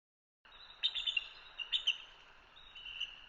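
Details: Bald eagle filmed by a live camera at Hanover, Pennsylvania, giving faint high chattering notes: a few quick squeaky bursts in the first two seconds, then thinner trailing chatter, over steady background hiss.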